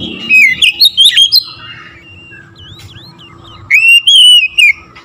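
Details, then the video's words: Oriental magpie-robin song meant to provoke rival birds: loud harsh, squawky whistled phrases, a pause with faint soft notes, then loud rising whistles repeated several times. "TERAPI KACER LAIN LANGSUNG TERPANCING EMOSI GACOR DOR"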